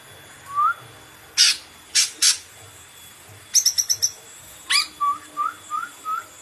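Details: Cucak ijo (green leafbird) delivering sharp, loud high chips in pairs, a quick run of ticking notes, then a string of five soft upslurred whistles evenly spaced about half a second apart.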